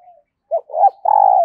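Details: Spotted dove decoy bird cooing to call wild doves: a faint trailing note, then a short coo, a rising middle note and a drawn-out steady final hoot.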